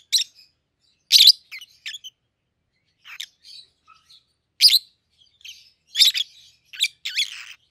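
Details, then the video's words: Two captive-raised peach-faced lovebirds, 7-8 months old, of red-headed green opaline and red-faced dark green colour forms, trade sharp, squeaky, shrill chirps in irregular bursts separated by short pauses. "Peach-Faced Lovebird's Sounds"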